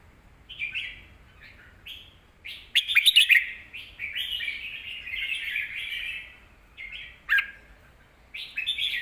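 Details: Song of a caged red-whiskered bulbul for tutoring young birds: short whistled notes build into a long, loud warbled run of slurred phrases, with scattered sharp clicks and a brief pause before the final phrase.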